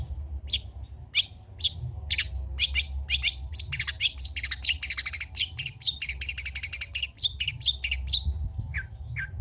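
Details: Long-tailed shrike singing old-style material for tutoring: scattered sharp notes build into fast loud chattering around the middle, then thin out to sparse single notes.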